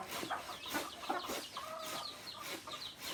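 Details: Native chickens, roosters and hens together: a mix of short high chirps and clucks, with a brief steady tonal call in the middle, over a busy background of overlapping flock sounds.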